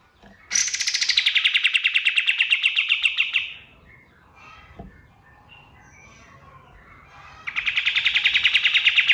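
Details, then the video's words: Male white-eye singing at dawn, natural song from the forest used as a tutor for training cage songbirds: dense, sharp, rapid-fire bursts of high notes, each run lasting about three seconds, falling slightly in pitch, then a quiet pause before another burst begins. "SUARA KAPAS TEMBAK SUBUH"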